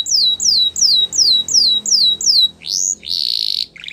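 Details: Timbrado canary song built from seven clear descending whistled slurs repeated about every half second, followed by a rising note, a buzzy trill and a short bubbling phrase.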